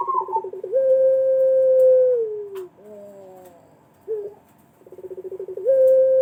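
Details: Lure call from a Pelung collared dove, played so other doves will answer. A fast pulsed rattle swells into a long, even, slowly falling coo, followed by soft descending notes and another rattle-and-long-note phrase.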